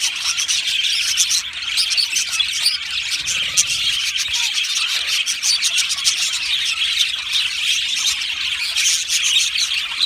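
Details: Australian budgie colony singing and chirping, steady high twittering of many birds, with a brief low rumble around three to four seconds in.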